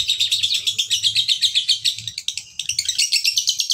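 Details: Shrill, rapid chattering of a male fighter lovebird used as a lure: dense scratchy notes several per second, briefly faltering midway before resuming at a higher pitch, over a faint low hum.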